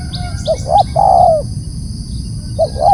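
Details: Loud calling by a spotted dove, two short upslurred coos and a long, gently falling note, then another short pair starting; faint high chirps from other birds and low rumble behind.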